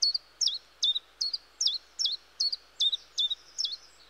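Common chiffchaff singing a steady run of high, bright notes alternating up and down, about two or three per second, over faint background hiss.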